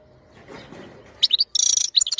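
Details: A European goldfinch recorded in 2021 gives a quick run of high, ringing chirps and a buzzy trill after a moment of low background murmur.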